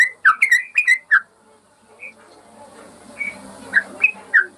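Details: Master recording of a yellow-vented bulbul for training caged birds that have gone quiet: a quick burst of liquid, slurred whistles, a pause with faint background hiss, then a few separate warbled notes.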